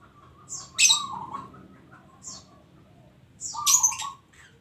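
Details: Local zebra dove cooing in short rolling phrases, interrupted by loud, harsh high chirps and squawks from another bird.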